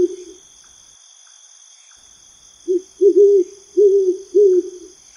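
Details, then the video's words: Owl calling at night in its natural environment: a run of low, short hooting notes, several in quick succession, with steady high insect or cricket trilling throughout. "Owl Sound - Feel the Night"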